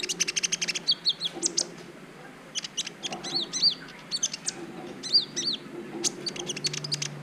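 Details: High sharp chips and looping arched whistles from a green-type brown-throated sunbird, sung as learning material to spark mating urge in other birds, delivered in quick clusters over faint hum.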